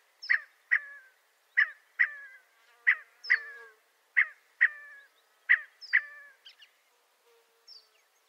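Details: Scaled quail calling: harsh, nasal paired notes, each pair a short sharp note followed by a slightly longer trailing one. About five pairs arrive roughly every 1.3 seconds, then a few fainter scattered notes. Quiet background.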